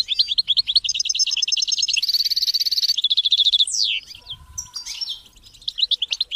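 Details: European goldfinch singing in a training recording meant to motivate goldfinches and chicks to sing: rapid high twittering notes, bright buzzy bursts, then steep downward slurs and scattered chirps, with a quiet low rumble underneath.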